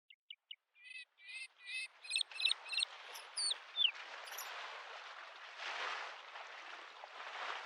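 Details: Bluethroat singing in spring by a lake: a varied phrase of short repeated ticking notes building into clustered chirps and sharp whistled slurs, then fading into steady broadband wave noise.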